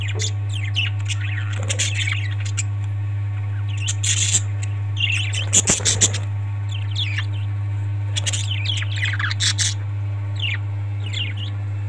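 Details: Several parrots chattering with scattered short chirps and occasional harsh bursts, irregularly spaced. A loud steady low hum sounds throughout.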